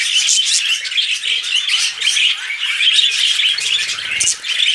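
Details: Mating budgerigars, a pet flock, keep up a loud stream of overlapping chirps, squeaky twitters and scratchy warbles, unbroken from start to finish.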